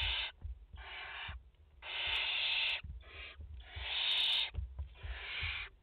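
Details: Barn owl family at the nest in France, a mother and four chicks, 30 August 2021; steady stream of harsh, snoring hisses, some short and some near a second long, almost continuous, with light tapping sounds.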